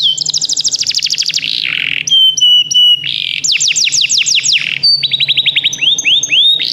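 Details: Canary singing for song training: a dense buzzing trill, a harsh low burst, short clipped whistles, quick falling sweeps, then a long series of rapid upslurred notes, all loud and high.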